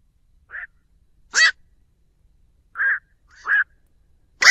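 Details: Black-crowned night heron calling to its flock, a trapping lure recording free of background noise: five short, harsh, croaking calls, some clipped and some raspy and broad, spaced irregularly over four seconds.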